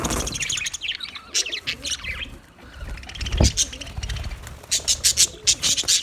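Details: Captive budgies in an aviary chatter busily with twittering warbles and clicking chirps. A run of sharp, evenly spaced high chirps comes near the end.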